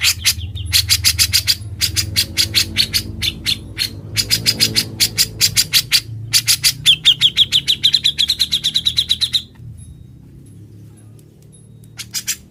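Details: Grey-cheeked bulbul singing actively in ngebren style, a recording for training other birds: dense bursts of harsh, scratchy notes mixed with chirps, then a steady rapid run of repeated chirps before falling silent.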